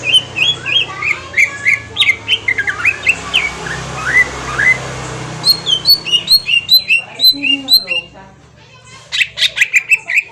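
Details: Green leafbird lure song, possibly from Kalimantan, for drawing a response: lively bursts of chirped and whistled notes, varied phrases with rising and falling slurs, a brief quiet gap, then another fast burst.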